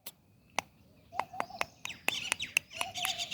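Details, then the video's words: A talking parrot gives a rapid run of sharp clicks, short squawks and brief whistled notes, growing busier and harsher toward the end. "Talking Parrot"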